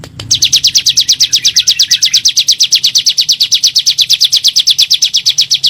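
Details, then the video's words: Bar-winged prinia, lure recording in the 'nembak' style played to make kept birds sing: a fast, unbroken series of sharp high chipping notes, about nine per second, steady for over five seconds, with faint low hum behind. "PANCINGAN SUARA BURUNG CIBLEK GUNUNG NEMBAK"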